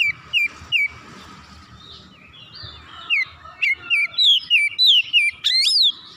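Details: Oriental magpie-robin singing excitedly with full repertoire, repeating short descending whistles at a steady quick pace, a softer warbling middle section, then a run of bright slurred whistles ending in a sharp upward sweep.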